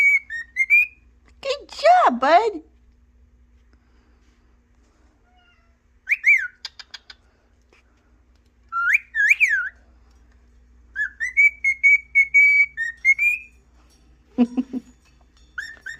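A cockatiel gives a rising-and-falling wolf whistle, then whistles a short, steady tune in clear, high notes.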